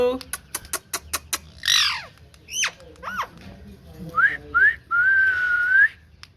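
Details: Green ringneck parrot, a rose-ringed parakeet, producing rapid clicks, a harsh squawk, short rising whistles and a long wavering whistled note, with low background hum.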